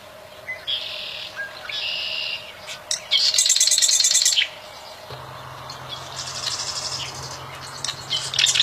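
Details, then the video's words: A bar-winged prinia sings in the wild, with short buzzy high phrases building to a strong rattling trill of about a second, then softer chattering notes against a low hum. "Burung Prenjak Alam Liar mantap"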